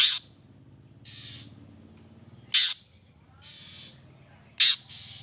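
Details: Long-tailed shrike lure calls, used to goad other shrikes into replying. Three sharp scratchy screeches come at irregular gaps, with softer hissing noise between them and a low droning background.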